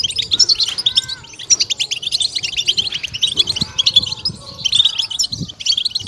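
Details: European goldfinch (Carduelis carduelis), song.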